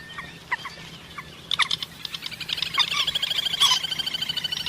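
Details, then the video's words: A common moorhen gives a few short, sharp notes, then breaks into a fast, rattling chatter of clipped pulses that runs for about three seconds. "Common Moorhen birds sound"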